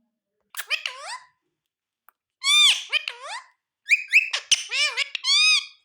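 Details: Talking ringneck parrot producing chattering, speech-like phrases of bending, harmonic-rich syllables, some rising then falling, in three bursts with a short silence in between.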